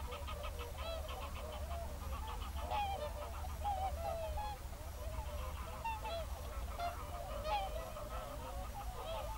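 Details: Whooper swans calling together with geese on a February 2023 evening in a national park. A dense chorus of short, wavering honks runs continuously, with a few louder bugled notes standing out over a steady low rumble.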